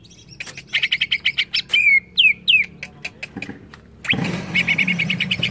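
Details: Greater green leafbird lure song to agitate others: fast chattering notes, three sharp whistled slurs, more chatter, then chirps continuing under a loud rushing noise.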